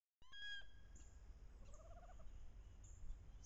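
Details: Wood ducks paired up on a bayou in late October, hens calling loudly during courtship; an abrupt loud harmonic squeal opens, followed by a short run of quiet, rising, stepped notes and faint background chirps.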